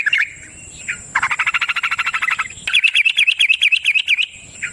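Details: Yellow-vented bulbul song meant as a lure: a few warbled notes, then a fast buzzy rattling chatter, then a rapid rolling run of bubbling notes, with a thin steady high hiss behind.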